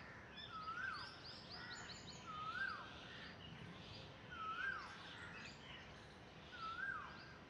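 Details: A myna at a tree-trunk nest where two babies look out, 17 July 2021, gives a short, clear, rising-then-falling whistled note, repeated four times about every two seconds over steady background hiss.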